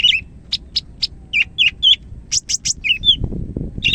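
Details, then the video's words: Greater green leafbird of the Medan type singing energetically: a fast, varied string of sharp chirps, slurred whistles and buzzy notes in quick succession, briefly interrupted by a low rustling noise near the end before singing resumes. "SUARA BURUNG CAK IJO MEDAN GACOR"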